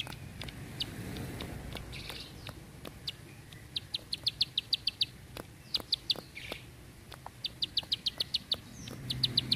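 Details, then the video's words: Bar-winged prinia giving a long, tight burst song used for training birds. Groups of four to six rapid, high, clipped notes repeat several times. Scattered clicks and a low rumble lie underneath. "Ciblek Sawah // Prenjak Klik // Tembakan Panjang Rapet Ciblek"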